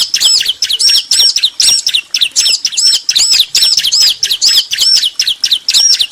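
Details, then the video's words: Male and female bar-winged prinias answering one another: steady, dense high chirping with repeated arched whistled notes throughout. "Ciblek betina & Jantan saling nyaut"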